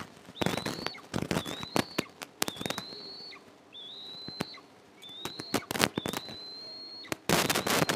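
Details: Eastern imperial eagles (Aquila heliaca) at a nest on a pine 20 m up in an oil and gas area, July 22, 2024, as the mother takes prey from the elder eaglet for the younger: thin, high, slightly rising whistled notes repeated about six times at one-second intervals, amid loud clattering knocks and thumps.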